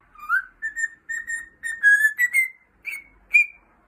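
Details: Pet cockatiel singing indoors: a string of clear whistled notes near the same pitch, short and slurred, the first rising, later ones higher, with brief gaps between phrases.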